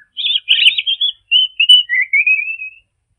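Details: European robin song played back at half speed: a scratchy twittered burst, then a series of thin, drawn-out whistled notes, each slightly lower than the last, in quiet surroundings.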